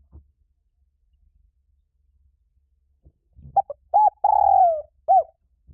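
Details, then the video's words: Spotted dove lure call for trapping: several seconds of near silence with a faint knock, then short notes leading into a long falling coo and a closing hoot. "Tiếng chim cu gáy kích bổi nhanh nổi cực nhạy"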